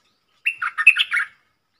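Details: Red-whiskered bulbul decoy bird, song meant for young birds to imitate and to call in wild birds: one brisk phrase of whistled and gurgling notes, rising and falling quickly, under a second long.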